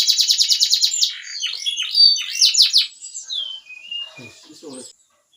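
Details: Loud canary song that opens with a rapid, high, rattling trill, then shifts to looping sweeps and slurred whistles and fades out. Faint low knocks are heard near the end.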